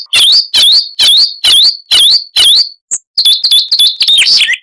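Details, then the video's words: Siberian rubythroat (Luscinia calliope) singing in a noise-reduced recording: six loud, evenly spaced slurred notes that swoop upward with bright overtones, then a quick run of varied, higher chirps and twitters. "Masteran Burung Luar Negeri Suara Unik Asli HD AUDIO - Siberian Rubythroat (Luscinia calliope)"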